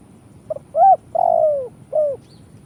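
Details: Spotted dove (tekukur) call for bird trapping in Indonesia: a faint short note, then a strong arched coo, a long sliding-down coo and a shorter final coo, with a quiet background.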